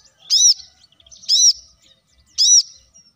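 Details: Plain-throated sunbird in a lure recording meant to get leafbirds singing quickly. Three loud, arched, high-pitched notes are repeated roughly once a second against a quiet background.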